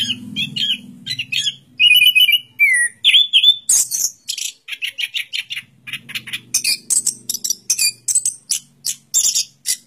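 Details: Orange-headed thrush song mixing mid-pitched slurred whistles with sudden very high scratchy bursts, then rapid repeated chirps, over a low hum in places.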